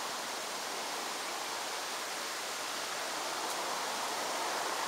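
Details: Steady broadband rushing like flowing water fills the recording, with one faint click partway through and no animal calls.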